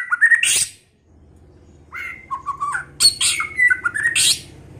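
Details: White-rumped shama singing in many voices early in the season: a short whistled phrase and harsh burst, then warbling mid-pitch whistles and rasping notes over a faint low steady hum.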